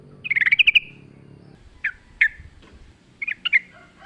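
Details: Sooty-headed bulbul: a short quick rattle of gurgled notes, then scattered sharp single chips and a brief pair near the end, with faint low background noise.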